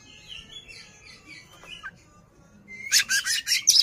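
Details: Oriental magpie-robin (kacer) spreading its tail to agitate a rival: quiet warbling whistles, then a loud run of harsh repeated rasping notes.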